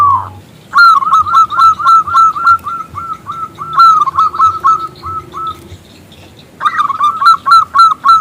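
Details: Loud, clear local zebra dove calling a male to sing: rapid strings of short, bouncy cooing notes at an even pitch, trailing off, then after a brief silence a new, stronger run begins.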